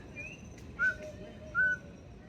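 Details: Mountain Scops Owl calling in the background at night in Taiwan's forest, two clear, mid-pitched whistled notes about a second apart, over a faint night hum of insects and frogs.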